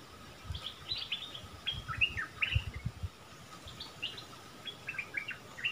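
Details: Bulbul delivering a double-phrase song: two spaced bursts of short, bright whistled notes that slide up and down, over steady background hiss and soft low thuds.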